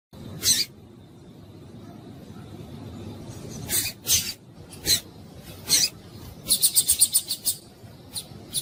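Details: Female rusty-collared seedeater in breeding condition calling to stimulate males: sharp high chips scattered over several seconds, then a fast run of about seven bright repeated notes, with a faint steady tone in the background.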